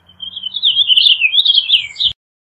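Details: Purple Finch, Haemorhous purpureus, delivering a continuous rich warble of slurred, rising and falling notes for about two seconds, then abrupt silence; a faint low hum sits underneath.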